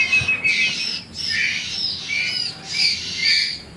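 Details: Hungry baby bar-winged prinias at feeding time, producing strained, squawky high chirps that swell and fade in roughly half-second bursts.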